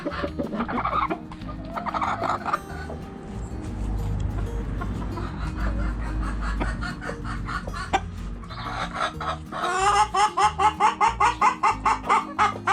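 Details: Chickens pecking and scratching, hens clucking: scattered short clucks early on, then a fast run of sharp, evenly spaced clucks near the end, over steady background music.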